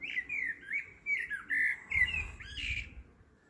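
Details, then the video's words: Blackbird singing at 7.30 pm: mellow, fluty warbled phrases, several short varied notes each second with a few scratchy ends, over a low rumble. "Black bird singing"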